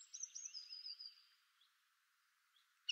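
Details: A lesser whitethroat (Curruca curruca) sings a quick, scratchy, high twittering warble for about a second, then falls quiet apart from a couple of faint clicks.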